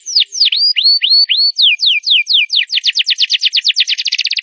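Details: Loud singing canary: dipping slurred notes, rising whistled curves, then falling notes that speed up into a rapid rolling trill.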